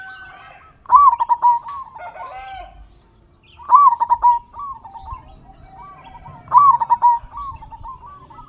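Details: Local zebra dove with a big voice, kept to prompt other caged doves to sing: three loud bursts of rapid rolling coos about three seconds apart, joined by softer trilled cooing.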